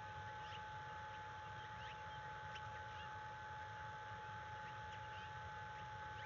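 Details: Morning at a bald eagle nest, February 1, 2022, the adult stressed by a threat nearby: repeated high, sharp chirps in loose runs throughout, over a persistent hum and low-frequency rumble.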